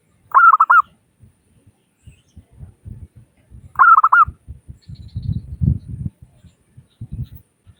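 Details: Local zebra dove with a crystal voice, used as a lure to make doves call: two quick phrases of around five coos each, about three and a half seconds apart, with low thumping and rumbling noises throughout.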